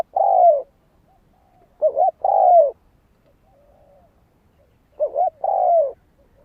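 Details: Spotted dove singing to lure wild doves toward a decoy: low, mellow coos, each phrase a quick doubled note then a longer falling croon, heard three times with silent gaps between.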